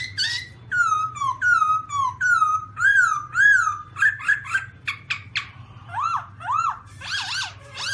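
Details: Black-throated laughingthrush (Garrulax chinensis) giving loud, clear whistled notes, slurred and falling, then rising phrases and sharp clicks, nearly two per second, over a low steady hum.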